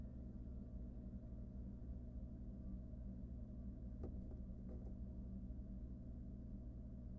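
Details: Quiet low mechanical hum with a few faint knocks and clicks near the middle, and no animal voices.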